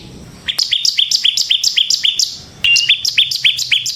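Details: Ngebren-style gacor song of a bar-winged prinia (ciblek semi), kept as a training lure: bright, quick repeated chip notes in two bursts separated by a brief gap, evenly spaced and ringing.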